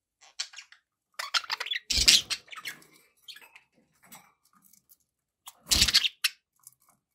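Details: Pet budgerigars kept indoors, with background noise: bursts of quick, scratchy high chirps and chattering notes in an uneven rhythm, broken by two louder harsh, noisy bursts near the second and sixth seconds, with short quiet gaps between.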